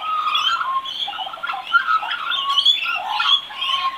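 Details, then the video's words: A young magpie practising its song warbles a dense, rambling run of gurgling and fluting notes, with squeaky upslurs and brief clear whistles jumbled together without pause. "Baby Magpie Practicing Singing"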